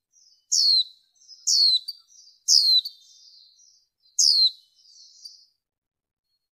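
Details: Female warbling white-eye, with background noise reduced in the recording: short bright descending chirps sliding from very high down to mid pitch, four calls spaced about one to two seconds apart, each followed by a faint buzzy trail.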